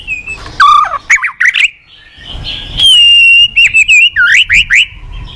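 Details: Morning song of a caged white-rumped shama, used to lure and train other birds: looping whistled notes, a long sustained clear whistle, then a series of quick rising slurred phrases.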